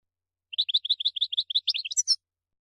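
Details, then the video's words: European goldfinch, called mqnin, singing in a show of vigour: a quick series of about fifteen short bright chirped notes at an even pace, ending in higher, harsher twittered notes. "الحسون ملك الطيور ينفجر في عرض للقوة والمهارة الحان تغريد مجنونة"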